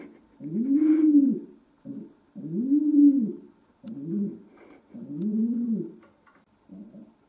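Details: Domestic pigeon kept as a pet, cooing inside: several low, rolling coos of uneven length and spacing, some short and broken, with light clicks and a faint hum in the background.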